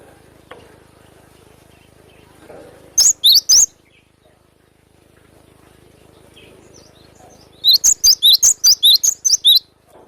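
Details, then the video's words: Cinereous tit singing sharply in the wild: three quick high whistled notes, a pause of about four seconds, then a fast string of about nine piercing slurred notes alternating between two pitches. "GELATIK BATU GACOR BESETAN TAJAM SUARA ASLI ALAM LIAR"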